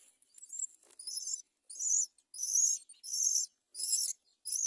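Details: Great myna chick about to fall from its nest while the mother bird does not help; harsh, hissing, high-pitched bursts of about half a second, repeated roughly every second and a half, with short quiet gaps between them.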